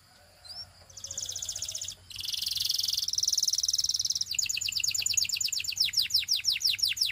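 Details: Belgian canary singing to prompt other canaries to sing: a faint rising whistle, then a fast high buzzy trill, a dense rattling roll, and finally rapid repeated descending sweeping notes, all high-pitched and continuous.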